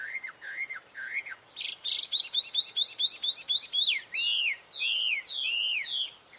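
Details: Lively wambi singing: two slurred whistles, then a rapid buzzy trill of repeated notes, ending in broad sweeping down-slurred whistles.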